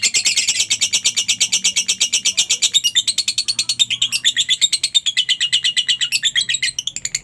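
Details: Lovebird chatter used to draw calls from silent birds: fast, grating high-pitched notes repeated about three per second, shifting midway into a looser, more varied twittering.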